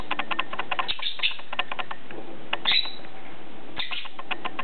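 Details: Playing lovebirds, two birds that are PBFD positive, chattering in bursts of quick, dry chirps separated by brief pauses, with a thin rising squeal in the middle and light knocks.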